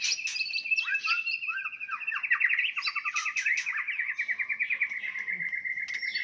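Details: Fighting song of a white-rumped shama, used to provoke rivals: a fast, continuous trill of repeated notes runs the whole clip, with interwoven whistled phrases and short rising slurs over the top.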